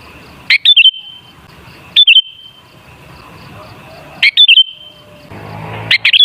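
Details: Sooty-headed bulbul singing, used as a lure for bulbuls: four brief phrases of liquid whistled notes with a fast up-and-down warble, separated by gaps of one to two seconds. A faint low rumble sits underneath.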